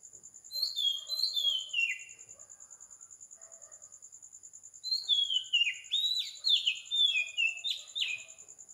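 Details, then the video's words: Oriental magpie-robin recorded at 4 am on the tropical island of Sri Lanka: two bursts of fluty, downward-sliding whistles are separated by a few quiet seconds of steady high pulsing background tone. "Magpie Robin Singing"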